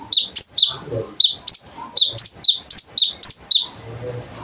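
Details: Konin bird singing as a tutor recording for kolibri ninja birds: high two-part chirps repeated about four times a second, ending in a thin, evenly pulsed whistle.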